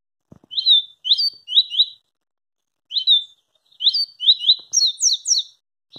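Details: Double-collared seedeater, presented as a fast singer, with a quick phrase of sliding chirps, a pause, then an accelerating burst of overlapping high notes; faint low clicks at start and end.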